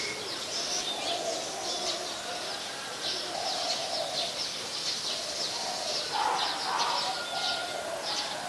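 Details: Olive-backed sunbird filmed at home in the late afternoon, 23 March 2021: a steady series of high, brief tinkling chips about twice a second, with soft lower dove-like cooing underneath.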